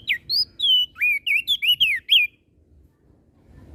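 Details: Crested white-eye from Flores in lively song meant to provoke other birds: a quick run of about eight clear, slurred whistles over two seconds, some rising and some falling, followed by quiet with faint low background noise.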